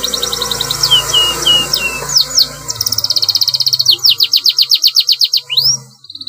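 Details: Canary rolling song used as a training master: soft high trills and gliding slurred notes give way to a bright rapid rattle and then evenly spaced downward sweeps, over a low background hum.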